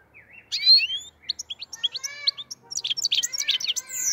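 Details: Black-headed goldfinch song, associated with Andijan, Kuva and Fergana: a varied twitter opening with rising whistled notes, then lower liquid tones and a quickening run of high chirps and buzzy notes.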